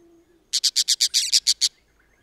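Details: Orange-chinned parakeets, a pair seen in Costa Rica in 2021, giving one run of nine rasping, buzzy notes in quick, even succession, lasting about one second, with a faint low hum behind.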